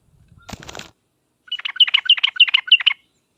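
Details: Sooty-headed bulbul lure song meant to prompt other bulbuls to reply at once: a short rustling or clattering noise, then a quick string of sharp, bubbly chirps after a pause.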